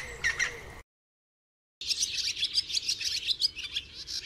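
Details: Barn swallow song: after a brief different sound and a second of silence, fast, high, scratchy twittering starts and runs on, with busy overlapping chirps and short rasping notes.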